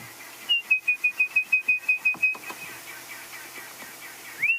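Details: An Orange-breasted Bushshrike gives a quick run of about a dozen clear, high whistled notes at an even pitch, then one rising whistle, amid a widespread bird party with babblers chattering, apparently not alarm calling, on a morning safari drive.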